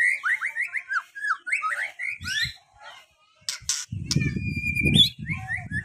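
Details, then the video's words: White-rumped shama lure song for birds that rarely sing: for about two seconds a fast series of bright slurred whistles, then clicks, a long steady whistle and rumbling low background noise. "Di jamin Langsung bongkar isian, pancingan muarai batu susah bunyi"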